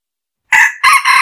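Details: Decoy red junglefowl crowing as a lure: after a short silence, two loud, hoarse syllables follow in quick succession. The second rolls straight into a third that is cut off abruptly.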